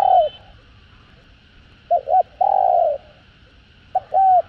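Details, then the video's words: Spotted dove giving excited coos in the 'hạp bổi' voice used to stimulate caged doves: a falling coo tail, then a double short note and a long steady coo, and another pair of short coos starting. "Tiếng Cu Gáy Giọng Hạp BổI ĐỦ BÀI [ GÁY GỌI,THÚC,GÙ ] Kích Bổi Nhanh Nổi"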